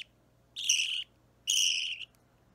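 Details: Budgerigar chick about three weeks old, opaline or normal green, restless while being hand-fed at home, filmed 30 March 2017; two harsh, buzzy, high rasping cries about half a second long with a short pause between them, over a faint steady hum.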